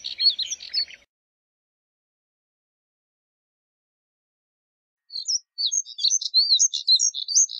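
Moussier's redstart gives a high, scratchy twittering song in two bursts, a brief phrase then a longer run of quick thin notes after a pause.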